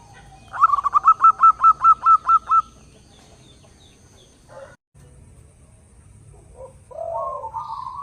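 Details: Perkutut, the zebra dove, in full song with a powerful voice: ten crisp, evenly paced cooing notes in a steady run, followed by quieter scattered sounds and a soft, wavering tone near the end.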